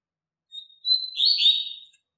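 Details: Double-collared seedeater teaching song for youngsters: a quick high note, then a long thin whistle leading into a bright, buzzy, slurred warble that trails off softly.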